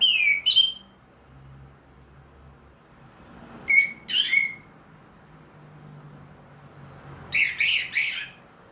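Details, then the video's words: Orange-headed thrush, a captive ringed bird singing freely after its moult. Three short bursts of sweet, slurred whistles arrive a few seconds apart, the last one a buzzier, broken cluster of notes. A faint low hum runs beneath. "MERANGSANG ANIS MERAH BUNYI PLONG"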